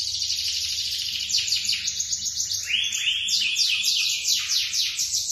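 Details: Lemon-coloured male canary in full song: quick buzzy trills flowing into lower, rolling swept notes, then climbing back into fast high chatter without pause.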